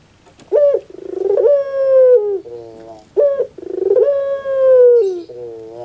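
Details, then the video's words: Barbary dove (puter pelung), recorded to prompt a lazy dove to sing: a short rising note, then a long drawn coo that falls gently, then low buzzy trailing tones. The phrase repeats about every three seconds. "Pancingan Suara Untuk Puter Pelung Yang Malas Berbunyi"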